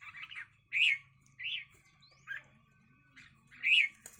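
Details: Fighting red-whiskered bulbuls give separate harsh, slurred notes, about five in a few seconds, each a short rasp with a few quieter chirps between them.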